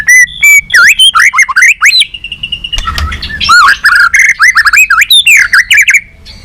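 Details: White-rumped shama, balak 6 type, singing a lure recording for catching birds: fast, varied outpouring of swooping whistles, harsh buzzy notes and rapid chirps with hardly a pause.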